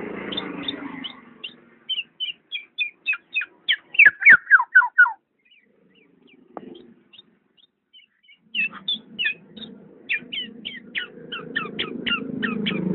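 Black-naped oriole giving bright, sharply down-slurred notes in quick bursts, about two a second, in two bouts split by a brief pause over low rumbling background noise.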